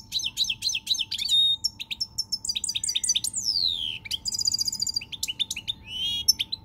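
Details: A pied European goldfinch, recorded 20 March 2020, sings a fast, liquid jumble of tinkling twitters, buzzy trills and a long descending whistle, with a faint steady hum behind.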